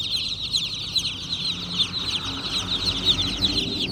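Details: Baby chickens make lively high peeping, many brief chirps overlapping at a rapid pace, with a quiet low rumble behind.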